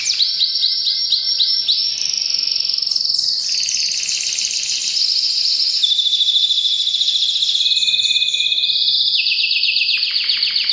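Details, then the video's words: Breeding-season canary singing strongly: long rolling trills and sustained buzzy tours at varied pitch, switching smoothly between phrases, ending with a fast series of repeated notes. "Canary bird most powerful singing during breeding season"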